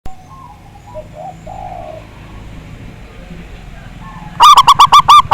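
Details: Local Indonesian zebra dove, a prolific big-voiced singer used to provoke rivals into singing. Quiet stretch with faint background sounds, then one loud phrase near the end: a run of quick, rolling cooing notes.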